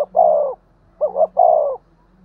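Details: Spotted dove 'thúc gù' cooing, a call used to provoke decoy doves into calling. The tail of one long coo is followed by a double note and a drawn-out, downslurred coo over a soft steady hum.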